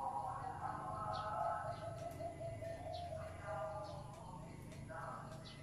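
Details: Zebra dove, noted for its big voice, giving a bubbling, staccato coo phrase that breaks into rolling, harmonic notes. High chirps from other birds are heard along with a low background hum.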